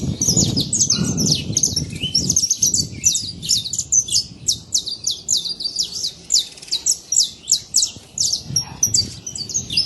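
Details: Wild saffron finch song in a natural setting: fast chains of high, sharp chirps repeated many times, with low background noise in the first seconds.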